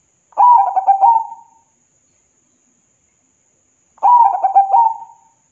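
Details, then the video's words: Zebra dove, a local Indonesian bird singing keenly, used to prompt lazy birds to sing: two mellow cooing phrases, each a rapid stutter of notes ending in a sustained coo, about four seconds apart, no other sounds. "Perkutut Lokal GACOR , Pancingan Paling MANTAB Buat Perkutut MALAS BUNYi !!"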